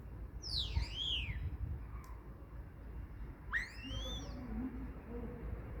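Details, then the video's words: Common starling giving whistled calls: a high note sweeping down and back up, then after a pause a sharp rising whistle with a falling tail, over a low background rumble. "Starling Bird Call | Common Starling Bird Sound"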